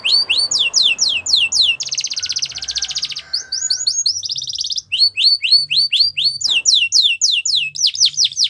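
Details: Russian canary singing a training song: rapid series of high, downward-sweeping notes, then a dense buzzy rattle around two seconds, more sweeping note runs and a second rattle, ending in quick repeated slurred chips.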